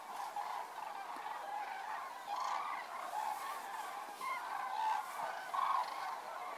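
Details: Evening arrival of common cranes at a roost near Federow, Germany, on 3 October; a dense flock chorus of overlapping bugling calls, several louder trumpeted notes breaking through at intervals.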